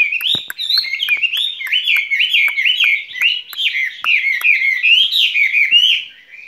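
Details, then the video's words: Spring song of a caged skylark: a sustained, rapid stream of high warbled whistles rising and dipping in quick succession, with a few faint clicks in the background. "Chim quý ở lồng son ca bản tình ca mùa xuân"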